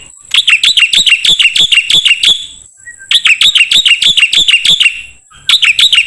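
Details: Black-winged starling song used as a training recording for songbirds: three bursts of rapid, sharp, evenly repeated chirps, each burst lasting about two seconds and separated by short pauses.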